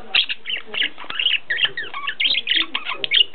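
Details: Pet zebra finches kept at home in Ulaanbaatar, Mongolia: dense, buzzy, nasal chattering notes and short rattling phrases in quick succession, several birds overlapping.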